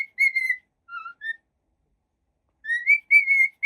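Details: Happy pet cockatiel giving clear whistled notes near one pitch, a short rising-falling phrase, a pause, then a lower pair of notes and a longer sustained whistle; quiet room, no other sounds.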